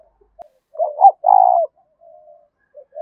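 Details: Spotted dove luring song meant to incite wild doves to fight a decoy. A single loud phrase of a few quick stuttered notes and then a steady, drawn-out coo, followed by a faint soft coo.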